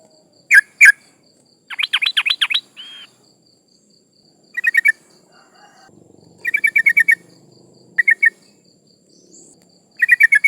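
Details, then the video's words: Female yellow-vented bulbul in breeding condition calling to males, used as a lure to draw rival birds; short rapid bursts of bubbly chattering notes, with a few sharp single notes between bursts and a faint low rumble in the background. "Suara burung trucuk gacor Memanggil lawan lawan pancingan Ampuh agar bunyi"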